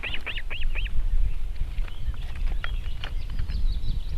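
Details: Wild Osprey at its nest in Võrumaa, South Estonia, in 2021: four quick upslurred whistled chirps open the clip, then fainter scattered peeps over a low rumbling background.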